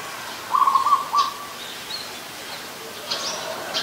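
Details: Adult zebra dove recorded in Ubon Ratchathani, Thailand, on 24 December 2020, giving a quick series of clipped, stuttering coo notes followed by one short extra note. Weak high chirps from other birds follow.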